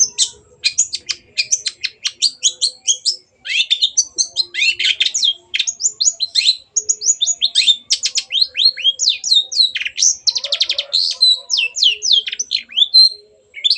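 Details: Cendet, the long-tailed shrike, in full energetic song used as a lure for silent birds: an unbroken rapid stream of whistled sweeps, scratchy notes and buzzy trills running for about fourteen seconds.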